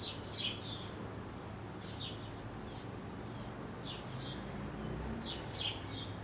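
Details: Eurasian wren chicks are fed prey by the adults in their last feedings before fledging; they left the nest hours later. The chicks give thin, very high squeaky calls, repeated every second or so, over a soft steady background hiss.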